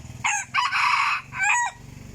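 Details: Rooster, presumably a young cockerel starting to crow, gives one loud, harsh, broken crow in three bursts, a short opening note, a long strained middle and a rougher tail, over low rumbling background noise.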